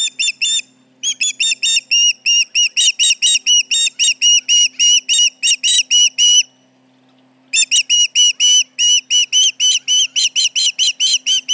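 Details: Shrill osprey alarm at the Charlo nest with intruders around, 29 July 2019: quickening bursts of piercing whistled notes, up to nearly four per second, broken by short pauses near one and seven seconds; steady low hum behind.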